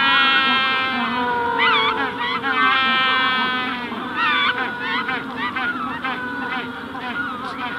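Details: Adult Magellanic penguins at the hatching stage at Punta Tombo give loud, donkey-like braying calls up close, with wavering, looping harmonic notes, while the distant colony calls steadily in the background.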